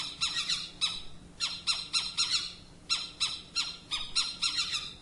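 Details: Owl giving harsh, raspy squawking notes in quick bursts of two to four, about eighteen notes in all, each rough and strongly layered, over a faint steady hiss.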